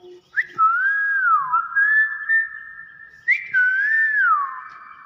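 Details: Common hill myna imitating human speech, said to say 'bakpao', gives two clear whistled phrases. Each starts with a sharp note, then wavers up and down before leveling into a sustained tone. The room is quiet.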